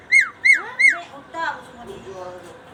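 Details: Talking jalak starling from Indonesia, known for whistling, laughing, coughing and copying chickens. Three clear falling whistles, evenly spaced about a third of a second apart, are followed by softer warbling, lower wavering notes and murmured chatter.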